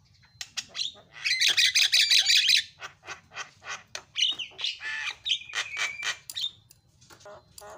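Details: Javan myna, jalak kebo, in fast filler-style singing meant as training material: a long loud rapid rattle, then varied harsh squawks, short whistles and clicks in quick succession over a faint low hum.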